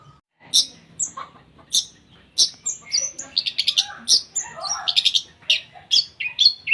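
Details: Long-tailed shrike singing energetically, full of 'tembakan isian' phrases, used as a tutor song for contest birds: a fast, varied run of loud harsh bursts, high whistles and chattering notes, almost continuous.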